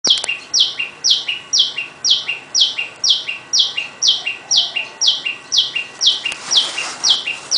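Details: Tailorbirds calling loudly by day in a house garden, where many of these small birds live; a sharp, high two-part note falling in steps, repeated steadily about twice a second.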